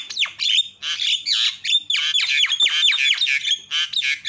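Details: Javan myna, loud calling used to trigger other mynas into calling: a continuous run of harsh, scratchy squawks with downward-sweeping notes and whistled tones woven through.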